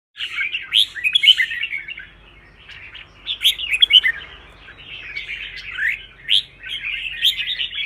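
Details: Red-whiskered bulbul being trained to sing for contest fighting song, fired up: bright, chattering whistled phrases in quick bursts, rising and falling, with short pauses between busy runs.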